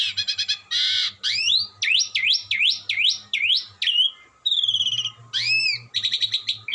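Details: Asian pied starling singing melodiously without stopping: rapid stuttering trills, a run of repeated sweeping rising-and-falling whistles, then buzzy rattles and bright upslurred notes, with a faint low hum underneath.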